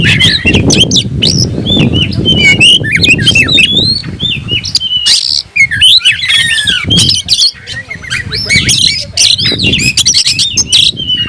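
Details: Oriental magpie-robin (kacer) in strong, fluent song while seeking a rival: rapid varied whistles, slurred upsweeps and harsh chattering notes tumbling continuously, with a low rumbling background beneath.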